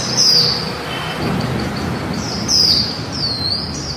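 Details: A female white-eye gives a high downslurred whistle, then a run of faint rapid pips, then two more sharp falling notes, all over a steady low background hum.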